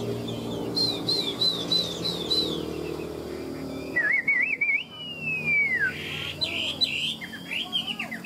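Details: Tame Chinese hwamei in a cage, a bird bred for fighting, gives ngũ trường song: a row of repeated arched whistles, then one long wavering whistle sliding downward, then brief bright notes, with traffic-like rumble beneath.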